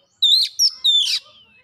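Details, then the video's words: Short bit of oriental magpie-robin lure song meant to spark singing and show learned phrases: three quick whistled notes, the first sliding up, the last sweeping down into a fading tail. "PANCINGAN KACER CEPAT GACOR LANGSUNG BONGKAR ISIAN"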